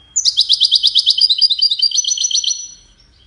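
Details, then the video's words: A goldfinch gives a melodious courtship and communication song: a rapid, even train of high, sparkling notes running for about two and a half seconds before it fades. "The Songbird's Crown: Witness the Majestic Goldfinch Singing"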